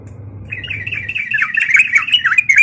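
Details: Sooty-headed bulbul fighting call used to provoke other bulbuls into answering: a loud run of chattering, slurred notes around the upper-middle range, starting after half a second and growing busier, over a low steady hum.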